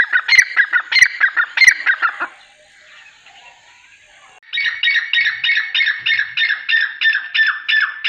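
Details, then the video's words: Francolin, part of a group of nine calling together: a rapid harsh grating series with clicks, a two-second lull of faint background, then a second fast regular run of rasping notes. "9 Francolin Calling Sound | Non Stop Teetar Boli"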